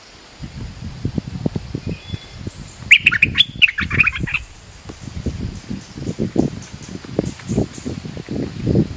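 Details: Bulbul lure call, merbah lekir in Malay, used to attract other birds: a brief burst of rapid, bright chirps in the middle, surrounded by steady low rumbling and rustling noise.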